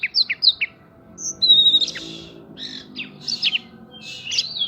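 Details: Oriental magpie-robin song laced with prinia-style phrases, played as a lure to provoke other birds into singing: short high chirps, then a long bright whistle and bursts of buzzy, slurred notes with brief pauses.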